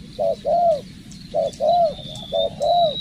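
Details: Spotted dove trained as a decoy bird, uttering three short-long coo pairs in steady rhythm, with a thin sustained whistle from another bird in the background.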